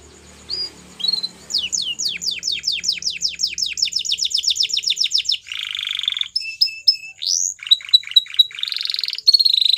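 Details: A white canary of the Belgian type sings rising whistles, a rapid run of downslurred notes, a harsh low roll, then clipped whistles and buzzy trills.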